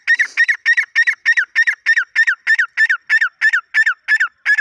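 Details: Irani dakhni grey francolin giving a steady run of harsh, nasal notes, about three each second, each note dropping slightly in pitch, repeated without pause in a quiet setting.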